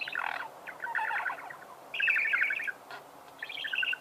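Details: Budgerigars singing in bursts of fast chattering warble, buzzy and scratchy, each phrase lasting about half a second to a second, with short pauses between.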